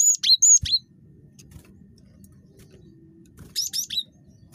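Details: Very chatty cinereous tit (gelatik batu), used as a lure to prompt other birds to sing: a burst of three sharp, high, whistled notes, a pause, then another quick three-note burst over a low steady hum.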